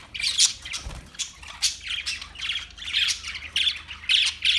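Parakeets chatter in a rapid run of harsh, scratchy chirps and squawks, high-pitched and overlapping, coming in bursts about every half second.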